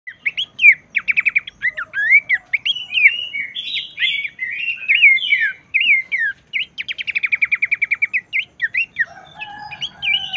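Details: Abbott's babbler song played to stir other babblers into singing: fast, varied run of slurred whistles and sharp chirps around 2–4k, with quick trilled bursts near the start and again toward the end, and no background noise.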